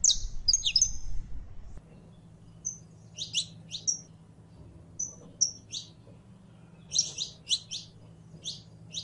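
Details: Saffron finch, or canario criollo, singing in scattered bursts of high tweets, some rapid double notes, separated by short pauses, over a steady low hum.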